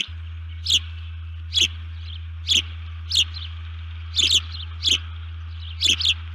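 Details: Disturbed female osprey calls alerts at her nest, filmed by nest camera early on 1 June 2019. Single sharp, high, downslurred chirps come roughly every second, sometimes doubled, over a constant low hum.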